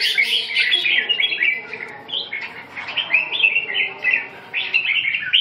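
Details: Red-whiskered bulbul song: a lively string of short, bright chirping and warbling phrases rising and falling, delivered in rapid bursts with brief gaps.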